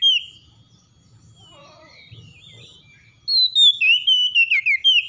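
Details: Oriental magpie-robin singing in the morning, a song used to help stressed birds recover. After a quiet stretch with faint low rumbling comes a bright burst of loud, clear whistled notes, rising and falling in quick succession.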